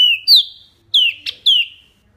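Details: Small wambi in full, varied song: clear whistled notes sliding downward, given in a few spaced bursts with a short sharp chip between them. The background is quiet.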